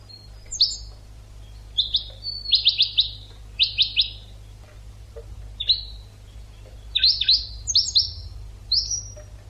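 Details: Goldfinch (European) tutor song for training birds: clustered chattering trills alternating with thin whistled notes and short sliding calls, delivered in irregular bursts.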